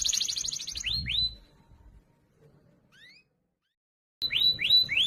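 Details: Canary training song, loud and clear for other canaries: a rapid high trill and a few rising sweeps, then a near-silent pause with faint notes, before rising notes resume.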